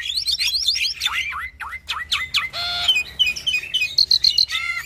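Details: Cage-bred Nias hill myna x Asian pied starling hybrid, sung for training other birds: quick upswept and downslurred whistles in rapid series, a harsh nasal squawk, then high, tinkling chips.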